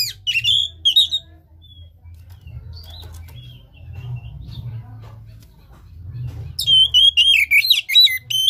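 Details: Oriental magpie-robin song used as a lure for a caged bird that has stopped singing: a brief loud whistled burst, a quiet gap with faint chirps and hum, then about two seconds of rapid, sweeping whistles.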